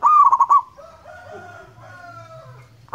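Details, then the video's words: Local wild-type zebra dove singing loudly and persistently. A rapid, bubbling run of cooing notes opens the clip, then fades into faint soft tones. A second phrase starts right at the end. "perkutut gacor lokal alam suara nyaring panjang"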